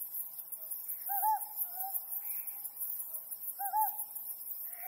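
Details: Ryukyu scops owl calling at night beneath the harvest moon of mid-autumn; two short wavering, slightly trilled hoots about two and a half seconds apart, over a steady high buzzing chorus of insects.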